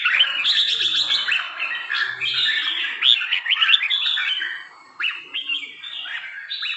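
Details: A trà my red-whiskered bulbul of three seasons sings crisp, sharply rising and falling whistled notes in quick clusters, pausing briefly before resuming with short bright phrases.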